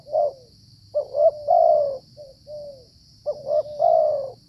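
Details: A wild Spotted Dove (tekukur) cooing during trapping: soft, low, hollow notes in two phrases, each a short rising coo then a longer drawn-out one, with a steady high hiss behind.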